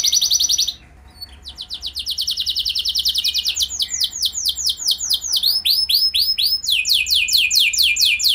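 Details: Canary singing to lure other canaries into song: an opening buzzy trill, a short silence, then accelerating rapid notes turning into repeated downward-sweeping whistles.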